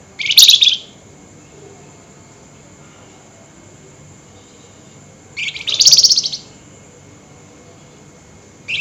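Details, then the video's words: Night calling by an agitated flameback: loud, high, buzzy nyerecet rattles of about half a second, spaced roughly five seconds apart with quiet between. "Tembakan Burung FLAMBOYAN GACOR Nyerecet Emosi Tinggi DiMalam Hari"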